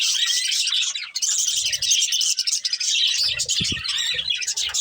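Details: Budgies, a breeding pair, chirp as they eat, an unbroken loud wash of high warbling twitters with short low knocks in the second half.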